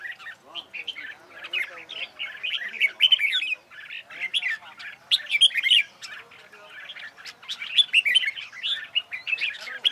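Red-whiskered bulbul singing a busy run of bright, bubbly chirps and short liquid phrases, fast and irregular, high-pitched and nearly continuous.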